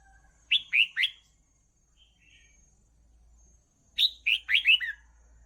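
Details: Red-whiskered bulbul song for training young birds: three sharp slurred whistles, a pause with a faint low hum, then a longer phrase of five bubbly descending notes.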